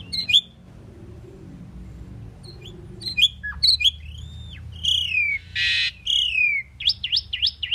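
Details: Common pied myna song mixing scattered clicks and squeaks, slurred whistles rising and falling, a short harsh rasp, and a quick run of zigzag chirps at the end.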